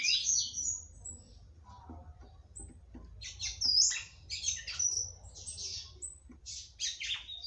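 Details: A female red-cowled cardinal sings to arouse the male. Scattered high chirps and short whistled slurs come in irregular clusters, denser toward the end, with quiet gaps and a low hum between them.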